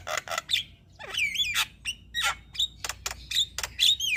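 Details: Caged Javan myna singing steadily for master training, mixing harsh chattering bursts with slurred whistled notes that swoop up and down, delivered in an irregular lively stream.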